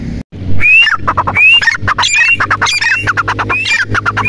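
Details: Teetar, the grey francolin, starting after a short silence into an energetic string of upslurred whistles mixed with rapid harsh clicks, repeated irregularly over steady low-pitched background hum.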